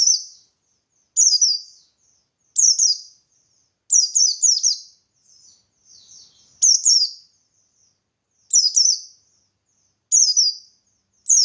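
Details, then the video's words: Buxtoni white-eye in lively song, played as a lure to make other white-eyes answer: high, sharp, descending twittered phrases, each about half a second, repeated roughly every one to one and a half seconds, with faint softer chips between. "Burung Pleci Buxtoni Gacor Ngalas Memancing Emosi Paling Ampuh"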